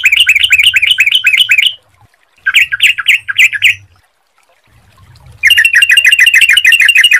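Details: Sooty-headed bulbul singing, used as a lure to set other bulbuls off: fast bursts of repeated slurred whistled notes separated by short silences, with a faint low hum underneath.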